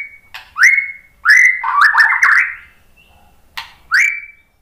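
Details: White-rumped shama singing, played to stimulate other shamas to sing along. Upslurred whistles sliding up to a held clear note, then a tumbling jumble of warbled phrases, a short pause, and another long rising whistle.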